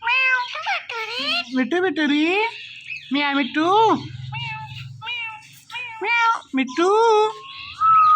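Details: Indian ringneck parrot calling "Mithu": a rapid string of harmonic, speech-like syllables with arching and falling pitch, some short and clipped, others drawn out, ending in a steady held note.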